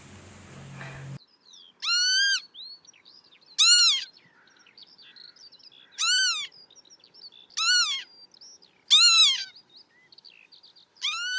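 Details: Wild northern lapwing calling: loud, wheezy, arched 'pee-wit' notes repeated roughly every one and a half to two seconds, with softer short notes of other lapwings between them in an otherwise quiet setting.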